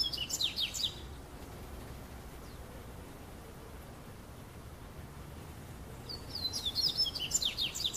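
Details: A Double-collared Seedeater singing on a summer afternoon in São Paulo state, Brazil, gives a bright, fast, twittering phrase of high chirps at the start and again after a quiet gap near the end, over low hum.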